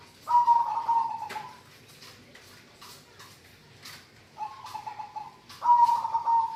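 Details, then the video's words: Local zebra dove singing energetically: three rapid, trilled cooing phrases near one pitch, each about a second long, the last pair after a pause, with sharp clicks and knocks between. "perkutut lokal suara gacorr"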